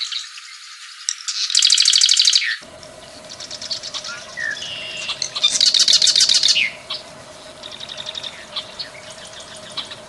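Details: Plain prinia giving loud, rapid, buzzy trills of about a second, repeated a few seconds apart, with softer ticking notes between, over a steady low hum.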